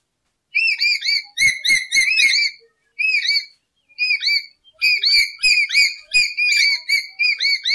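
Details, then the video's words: A lory, possibly black-capped, gives bursts of shrill, slurred whistles, each note bending up and down, in quick runs broken by brief pauses, used as a lure and tutor call. Lory. "Suara Burung Nuri"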